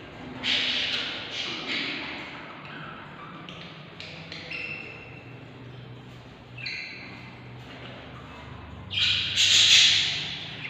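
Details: Hungry 20-day-old budgerigar chicks inside a nest box give raspy, hissing squawks in uneven bursts as they beg for food.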